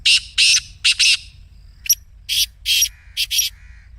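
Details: Calling black francolin, its excited 'masti' voice meant to set a caged francolin calling: a rapid series of loud, harsh, grating notes, paired bursts rising into a longer rattling phrase, with a faint drawn-out whistle between them.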